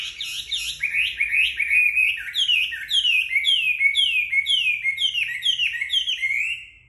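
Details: Chinese hwamei, freshly bathed and sunning itself, delivers a strong whistled song: looping phrases, then a long series of rapid repeated downslurred notes that hold steady in pitch.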